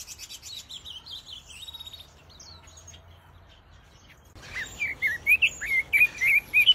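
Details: Pekin robins kept in an aviary: soft, high twittering at first, then after a brief lull a loud, lively sequence of rapid whistled, warbling notes.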